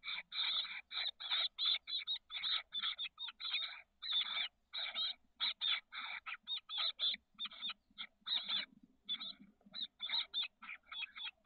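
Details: Inside a nest box on the south peninsula of SF Bay, chestnut-backed chickadee nestlings hatched 17–18 May and aged 13 days call on 30 May 2023. Rapid, rasping hissy bursts follow one another almost continuously, with faint low shuffling beneath.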